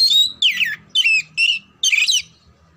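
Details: Kacer, the oriental magpie-robin, trained for singing contests: a dense string of loud whistled and raspy notes, each sweeping downward, delivered about every half second with faint low background noise.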